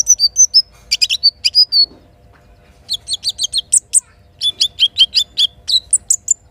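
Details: Little spiderhunter singing in the morning, a song filled with kinin phrases, with river and forest sounds. Bursts of sharp, high chips and short down-slurred whistles come in quick runs, separated by a brief pause.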